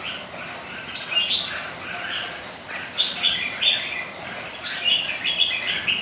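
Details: Red-whiskered bulbuls sparring as rivals on a rainy, windy day: short bright warbled phrases in bursts, several birds overlapping, over a steady hiss of rain.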